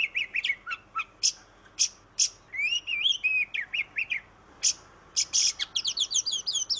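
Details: Oriental magpie-robin singing as a lure for silent birds: quick whistled notes and harsh high bursts, a fluid warbled phrase midway, then a fast rippling trill.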